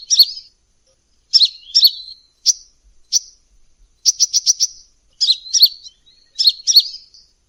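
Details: Hummingbird lure call, lively and vocal: squeaky, slurred high double notes alternate with a quick run of sharp chirps, in irregular bursts roughly once a second.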